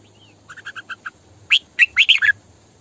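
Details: A female red-whiskered bulbul kept as a decoy gives a run of six short, evenly spaced chips, then a loud, rich phrase of rolling, warbled notes in the 'sổ bọng căng' style.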